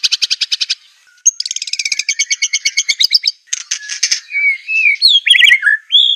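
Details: White-rumped shama of the Aceh type, recorded as training material for birds: rapid rattling trills and churring bursts giving way to loud, swooping whistled notes.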